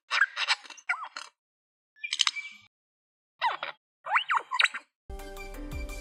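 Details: Superb Lyrebird of Australian forests mimicking in loud bursts of varied, rich notes with looping, laser-like swoops, imitating man-made sounds to attract mates and defend territory; background music takes over in the last second.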